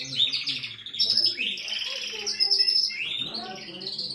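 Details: Male canary singing to stimulate a female for mating: continuous rich, high warbling with rolling trills and quick rising and falling slurs, over faint low background noise.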